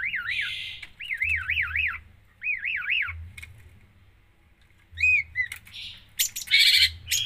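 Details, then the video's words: Long-tailed shrike singing full isian: three wavering, warbled whistles in quick succession, a quiet pause, then short whistled notes and loud harsh buzzy bursts, with a low hum beneath. "cendet gacor full isian"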